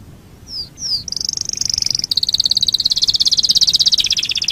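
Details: Canary song used as a master recording for training other birds: two short whistled upslurs, then a steady high trill that breaks into a fast, even pulsing trill repeated several times a second.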